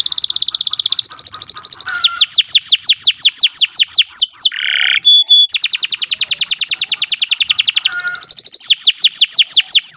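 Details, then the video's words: Captive canary singing a long training song for other caged birds: rapid trills alternate with series of descending whistled sweeps repeated about three per second, plus a brief harsh buzzy phrase, continuous and loud. "Kicau Burung Kenari 183 II LUAR BIASA GACOR PANJANG Cocok untuk Masteran"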